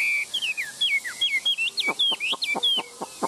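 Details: A tame Chinese hwamei, held in the hand, sings loud, rich whistles: a fast run of slurred notes swooping up and down, punctuated by sharp clicky accents.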